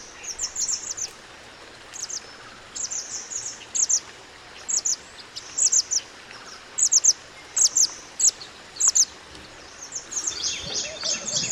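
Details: Natural wild mountain white-eye song used to tutor other birds: bright, high chirpy phrases repeated roughly every second, ending in a denser rush of twittering against a faint background hiss.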